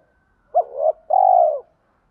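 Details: Spotted dove kept to lure wild doves, singing the 'giọng thổ' style blended with 'thúc đấu' phrases. A short arched hoot slides into a longer, steady, smooth coo.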